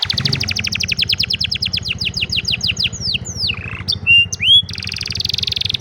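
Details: Afternoon song of an old canary, a fast series of repeated descending chirps, then swooping whistles, clear pure notes and a dense buzzy trill, over a low steady hum.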